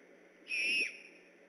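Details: Great horned owl near an eagle nest in Decorah, calling at night while on alert, 3 October 2015: a single high, whistled note with a faint rasp, level then dropping slightly, lasting about half a second over a quiet background hiss.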